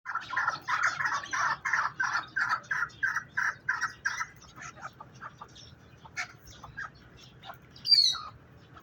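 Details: Partridge chicks calling: a fast run of evenly spaced, rasping chirps, about three per second for four seconds, then scattered softer notes and a single high squeak near the end.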